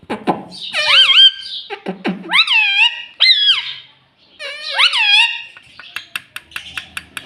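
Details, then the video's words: Talking rose-ringed parakeet saying "mummy papa": a few low human-like syllables open, then a series of high, harmonic, swooping notes rising and falling in word-like bursts, ending with sharp clicks and taps. "Talking parrot mummy papa - Bolne Wala Tota - mummy mummy bolta tota"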